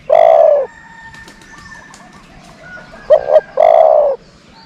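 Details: Mid-pitched dove coos from a lure bird: a long sustained note, silence with soft background chirps, then a short paired note and another long coo, steady and evenly pitched.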